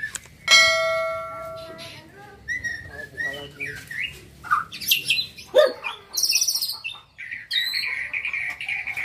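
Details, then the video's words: Juvenile white-rumped shama, a caged contest bird, gives its gacor pastol song: a steady humming tone at the start, then scattered chirps, quick whistled notes and high trills in short bursts. "Murai batu gacor pastol ,burung lomba"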